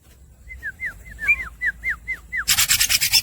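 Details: Greater green leafbird (cucak hijau) singing nonstop in the los dol gacor style: a run of about ten clear downslurred whistles, evenly paced, then a sudden burst of rapid, harsh buzzy pulses at the end.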